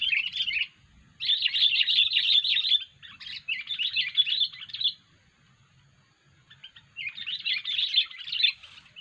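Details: Unusual sooty-headed bulbul call used to lure birds for catching: dense bursts of harsh, twittering chatter lasting one to two seconds each, separated by short silences, with a soft low hum underneath.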